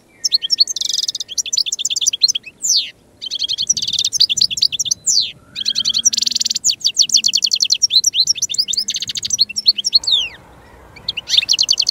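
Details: A European goldfinch sings almost without pause, a long cascade of rapid, high, jingling twitters, buzzy trills and downward-sliding notes, with only a short gap near the end.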